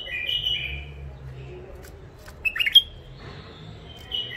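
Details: Wild-caught captive bulbuls from the Mandali crossing area, an old catch in first isolation, sing short fluty warbled phrases near the start and again around the middle and end, with quiet gaps and low background hum.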